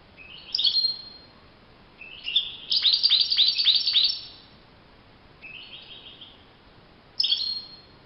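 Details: European goldfinch in the wild, giving short twittering phrases around a central run of five or six rapidly repeated, ringing notes, then a quieter phrase and a final brief chirp.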